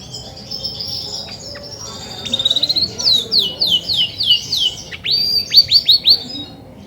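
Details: Female Belgian canary, grey and white, kept caged and singing when ready to brood: a thin high whistle, then a sequence of loud falling slurs and upswept notes in quick rhythm.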